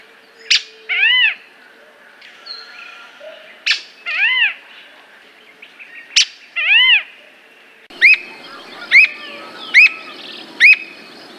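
Squirrel cuckoo giving sharp clicks, each followed by a nasal, arched note, about once a second. A string of squeaky notes follows, with faint background hiss.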